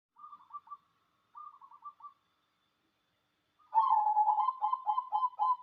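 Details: Local wild-type cemani zebra dove singing: two soft, quick stuttering coo phrases, then a louder, rapid run of rolling, bubbling coos trembling around one low pitch, with clear silence between phrases.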